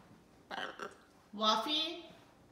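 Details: A pet macaw gives two quick speech-like syllables, then a longer, drawn-out raspy word with a harsh, nasal edge, in a quiet room; Macaw.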